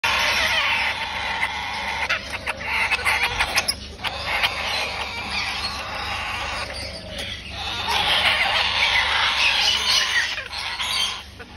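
Cockatoo chicks give harsh, rasping, rapidly repeated begging squeals that pulse and swell almost continuously as they are fed.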